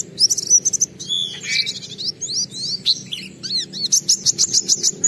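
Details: Energetic oriental white-eye song meant to stir other white-eyes to sing, packed with high squeaky chirps, buzzy twitters and a closing run of rapid, evenly spaced sharp notes.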